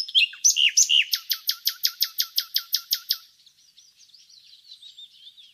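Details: Nightingale song in which a few swooping whistles give way to a long, steady series of about fifteen loud, identical clipped notes, slowing and ending in faint, fuzzy chatter.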